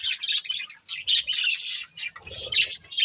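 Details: Breeding pair of budgerigars chirping in quick scratchy phrases, loud bursts about every half second, with a soft low rustle near the end.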